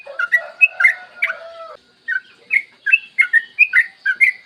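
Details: Yellow-vented bulbul in long rapid morning song, played to lure other bulbuls into singing: bubbly chattering bursts of short slurred notes with a drawn-out lower whistle, a brief pause, then quick repeated phrases.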